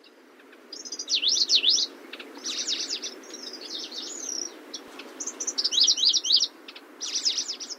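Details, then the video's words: Grasshopper warbler, genus Locustella, singing high, varied phrases of rapid up-and-down swooping whistles in bursts of about a second, with brief gaps and a steady low hiss behind. "Сверчок. Голоса птиц"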